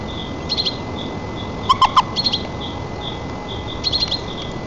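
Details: White-tailed eagle at its nest in Nizhnyaya Kama National Park, Tatarstan, on 4 May 2024, while the chick is fed, picked up by a nest camera: short high chirps in clusters and a few louder, lower clipped notes, over steady background hiss and a faint regular peeping.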